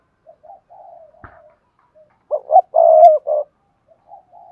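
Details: Spotted dove delivering Cườm Sa style song with a hạp bổi voice: soft low coos and a brief click, then a loud phrase of two sharp coos, a long drawn coo and a closing note, trailing into softer cooing.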